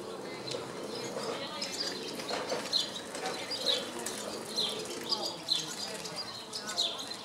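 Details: Brief high squeaky notes from a barn swallow in Vrbje street, Zagreb, Croatia, on 24 May 2014, spaced a second or so apart against a constant murmur of background noise.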